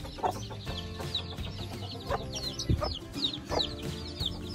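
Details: Mother hen free ranging with chicks about a week old, twelve of them adopted, feeding and mud-bathing on a farm in Sialkot, Pakistan; thin downward-sliding peeps repeat rapidly while a few low clucks and steady background music play.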